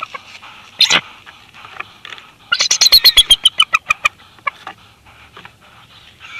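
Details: Bald eagle pair at the Big Bear Valley nest, 26 February 2021. The female gently pries the male off the eggs of the second clutch at a changeover. A single sharp note is followed by a fast run of a dozen piping notes that drop slightly in pitch.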